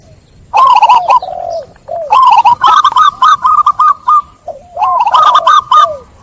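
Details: Zebra dove song meant to coax stressed, silent doves back into cooing: low soft coos followed by loud rapid stuttering coo trills with bright clicks, three phrases in a row.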